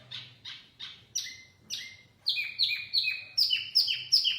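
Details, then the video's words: Lure song from a mini wambi: a few soft buzzy notes, then crisp high whistles that drop sharply, repeated roughly three times a second toward the end. "Kicauan Wambi Mini Pikat Gacor"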